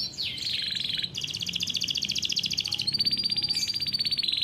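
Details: Canary from a breeder's farm, singing the long rolling 'ngeroll' style meant to teach young canaries: a short sweep, then sustained rapid rolling trills in several sections at changing pitch.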